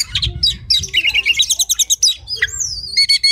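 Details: Oriental magpie-robin tutor song for training contest birds: a fast chattering sequence of twittered notes, then a long drawn-out whistle that slides down, ending in quick repeated chips.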